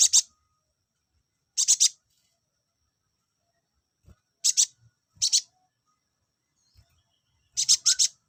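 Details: Olive-backed sunbird sounds used to bring males into breeding condition: sharp, high, buzzy double and triple notes in separate bursts every one to three seconds against a silent background.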